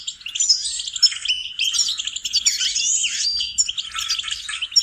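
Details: Singing goldfinch for songbird training: dense, rapid twittering mixing liquid chirps, short rising and falling slurs and buzzy bursts, delivered in one unbroken energetic stream.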